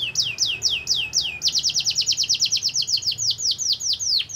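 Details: Canary song used to make other canaries sing: several falling whistled notes, then a long fast series of repeated sweeping syllables.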